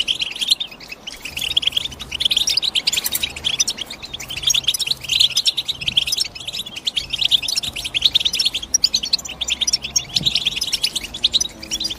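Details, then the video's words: Long, unbroken stretch of European goldfinch chirping: a crowded, fast stream of high twittering notes, with a faint low hum running beneath. "The GOLDFINCH CHIRPING SOUND"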